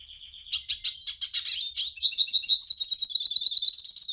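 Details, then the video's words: Hooded siskin (Spinus magellanicus) sings a fast, high, unbroken twitter of chirps, buzzes and rapid trills that gets busier toward the end. "Canto Passaro Pintassilgo"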